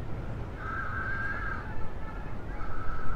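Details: Cormorant fledglings in a noisy colony pestering a recently returned adult for food: two nasal, steady wailing cries, the first about a second long, the second shorter, against strong low wind and sea roar.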